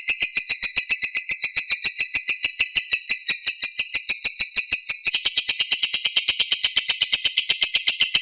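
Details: Lovebird in long ngekek song, used as a lure for a lovebird that has stopped singing: sustained high, grating chatter of rapid pulses, changing tone slightly midway.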